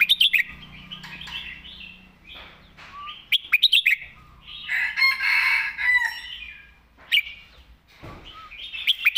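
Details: Red-whiskered bulbul singing loudly in the southern master song style. Sharp clicking bursts lead into warbled phrases, and a long, dense chattering stretch runs through the middle over a low background drone.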